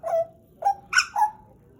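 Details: Captive pied butcherbird, a pet of about two years, giving four short fluted notes. One note is drawn out, one is brief, and one is rising with a harsher edge, all well separated.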